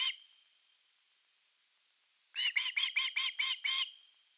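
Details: Osprey at nest #3, filmed by a nest camera on 30 August 2021 around an evening fish delivery; after a short note and two seconds of quiet, seven loud, shrill, arched whistled notes follow in a quick, even series.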